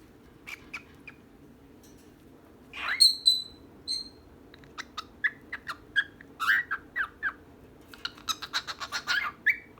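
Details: Pet bird pair, female and male, calling: a burst of harsh squawking near the start, followed by a long run of quick, sharp chirps and clicks, several per second, growing busier toward the end.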